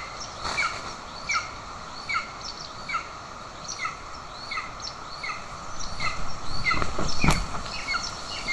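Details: Golden eagles, Estonia, 20 June 2024, mother feeding an aggressive chick, father with a bird. Insistent run of short, high, downward chirps, nearly four per second, with thumps and rustling near the end.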